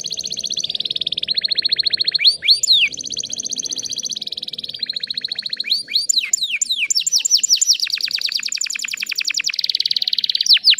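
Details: Female canary calling to prompt young trainee canaries to start singing quickly; continuous rolling trills and buzzy tours broken by steep up-and-down swept whistles, over a low background murmur.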